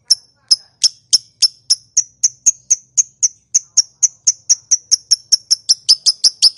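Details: Lovebird call intended to get other lovebirds to answer; a rapid, accelerating run of sharp high clicks, over twenty notes in under seven seconds.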